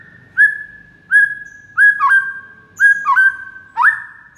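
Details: White-rumped shama master recording used to prompt replies from other shamas: long steady whistles broken by short upward-flicking notes roughly every second, on a quiet background.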